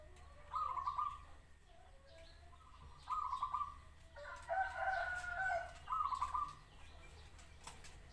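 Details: Zebra dove repeating short, rapid trilled coo phrases about every three seconds, with lower soft coos between, while a rooster crows loudly in the middle.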